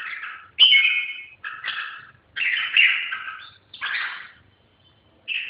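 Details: Red-whiskered bulbul uttering short chirpy, scratchy warbled phrases about every second, separated by quiet pauses.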